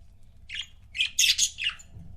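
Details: Budgerigar couple as pets: a quick run of loud scratchy chirps and squawks, rising into a dense harsh burst near the middle, then a falling chirp, over low hum.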